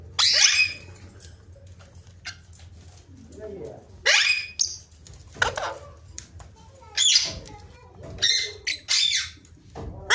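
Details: Rose-ringed parakeet talking: bursts of harsh, raspy, voice-like utterances and squawks in short irregular phrases, separated by quiet gaps with soft background noise.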